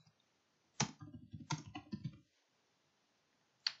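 Indoor clicking and tapping, like keyboard keys or a mouse in a small quiet room, in a short burst and then one last click.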